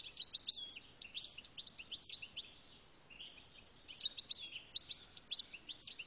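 A European goldfinch sings a fast, high, tinkling twitter of liquid notes and buzzy trills, in two dense bursts with a brief pause between them.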